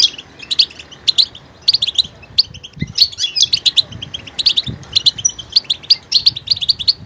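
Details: Goldfinch singing with great variety, switching between different sounds: rapid bright twittering notes and chirps in bursts, repeated phrases with short pauses between them, clear and close.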